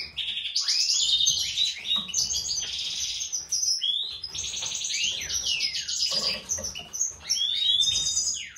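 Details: A breeding pair of European goldfinches, a white-throated mutation male and a classic female, in continuous fast twittering song of rapid liquid chirps, trills and sweeping notes, about three note groups per second, over low background noise.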